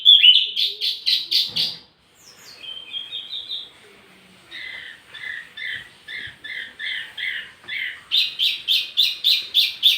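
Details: Wambi mini song for luring and tutoring tledekan birds: bursts of evenly spaced sharp chirps, a soft trill, then paired notes repeated roughly every half second.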